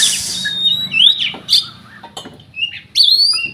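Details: Oriental magpie-robin, a contest bird from Riau province, Indonesia, said never to have lost a provincial audition. It sings loud, varied whistled phrases with sharp rising and falling notes and short pauses. A brief hissing burst opens the passage.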